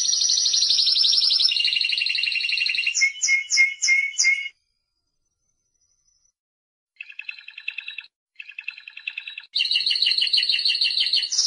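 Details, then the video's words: Timbrado canary (Serinus canaria) song: sustained high trills changing pitch, a series of clipped pulsed notes, nearly three seconds of silence, then softer short trills and a loud final rolling trill. "Canto Canario Timbrado"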